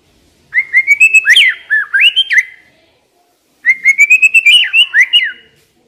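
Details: White-rumped shama song used as a lure to get young, stressed, wild-caught birds singing: two bouts of clear whistled notes climbing stepwise, ending in quick rising and falling slurs, with a silent gap of about a second between bouts.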